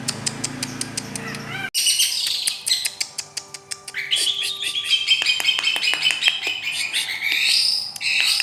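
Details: A long-tailed shrike's rapid chattering song: quick sharp ticks speeding up, then rising and falling whistled slurs and rattling phrases, with a steady faint tone underneath.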